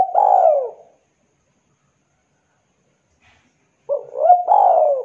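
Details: Javanese spotted dove used as a lure for silent doves: a single long falling coo, about three seconds of silence, then a short hiccup note, a looped coo and another long coo.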